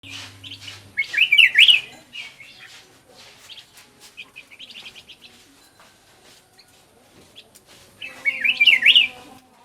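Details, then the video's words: Black-crested bulbul song used as a lure to call birds: a loud, bubbly warbled phrase of rising and falling notes near the start, scattered softer chirps, then a second matching phrase near the end. "เสียงนกปรอดเหลืองหัวจุก Black crested bulbul Sound"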